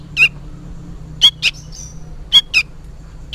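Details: Juvenile sooty-headed bulbul calling, apparently for its parent: two pairs of rasping, slightly descending chirps about a second apart, plus a faint higher whistle between them.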